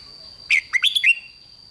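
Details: One short phrase from a red-whiskered bulbul singing to excite other bulbuls, five bright slurred whistles delivered in well under a second, dipping and rising, over a faint constant high tone.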